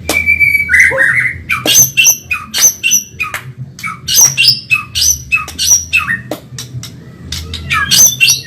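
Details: Medan white-rumped shama, caged, singing rapidly for bird training: harsh, crackling broadband notes mixed with short high whistles, repeated about three to four times a second, steady low hum underneath.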